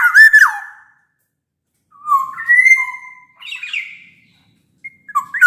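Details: Black-naped oriole singing in full voice as a lure for quiet orioles: a rasping, falling squawk, then a clear level whistle rising in pitch and held, a buzzy burst, and a final short fluted note.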